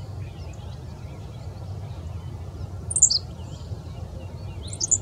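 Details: Henslow's sparrow (Centronyx henslowii) at Bath Nature Preserve, Summit County, Ohio, on June 3, 2017, sings its tiny, very high, hiccuping 'tsi-lick' phrase twice, about two seconds apart, over a low steady background rumble.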